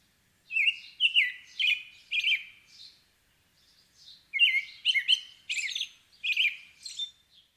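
An American robin sings clear, warbled caroling phrases, about two per second, in two bursts separated by a brief pause; nothing else is heard.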